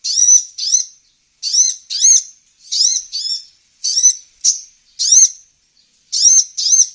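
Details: Olive-backed sunbird calls for luring wild birds. Loud, high, arching squeaky notes come mostly in pairs, roughly once a second, in an otherwise quiet recording.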